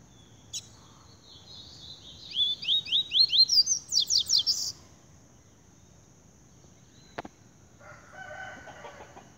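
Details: Double-collared seedeater singing: a run of rapid high, sharply slurred whistled notes, about a dozen in quick series lasting two seconds, then a click and faint rougher chatter; steady background hiss.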